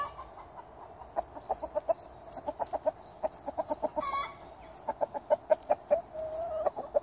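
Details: Chickens in a garden cluck in rapid, regular bursts with a brief pause midway. Small songbirds add high, falling whistled notes in the first half, and a longer drawn note appears near the end.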